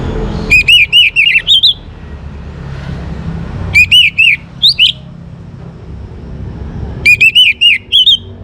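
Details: In full song to stimulate other birds, a young orange-headed thrush repeats short phrases of wavering, looping whistles about every three seconds, each phrase ending on a higher note, with soft background rumble.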